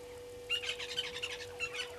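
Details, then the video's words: At a nesting tree on Djuma Game Reserve in South Africa's Sabi Sand Wildtuin, brown-headed parrots give a quick burst of strident, grating squawks mixed with short piping notes, 13 March 2022 in the afternoon, with a constant background hum. "Brown-headed Parrots at nesting tree"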